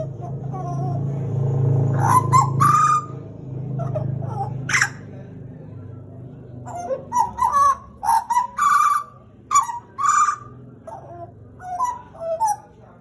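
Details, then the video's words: Caged pied butcherbird from Papua, Indonesia, sings loud, ringing phrases of short piping notes and downward-sliding whistles in bursts, with a low droning hum early on and quiet gaps between phrases. "JAGAL PAPUA GACOR, Cracticus Nigrogularis Papua Indonesian endemic Bird"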